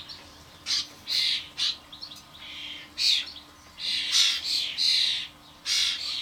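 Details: Common starlings, adults bringing fledglings to suet blocks on a garden feeder among many birds; rapid, uneven series of short raspy squawks and longer hissing notes.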